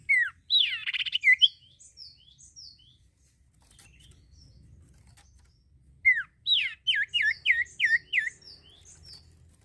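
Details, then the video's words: Caged cipoh (sirtu) bird singing loud, lively song used to stimulate other birds to sing: a burst of sharp, twittering whistles, a pause, then a rapid series of six or seven repeated, down-slurred chirps. "cipoh gacor ampuh meransang burung bahan jadi bunyi"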